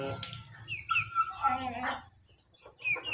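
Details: Laughing chicken (ayam ketawa) crowing loudly: wavering, harmonic notes sliding down over about a second, a pause, then a brief bright call; a steady low hum and some voices underneath.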